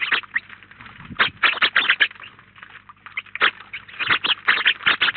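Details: Dense, continuous chirping from house sparrows, about nineteen together at a feeder in Collado Villalba; many loud overlapping cheeps follow each other in quick irregular runs, with a brief lull near three seconds.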